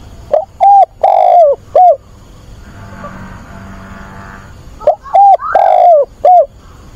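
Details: Captive spotted dove used as a decoy, cooing on a weekend to call for a mate and lure wild doves: loud, low hooting coos in a phrase of about four notes, repeated after a pause, with faint background hum.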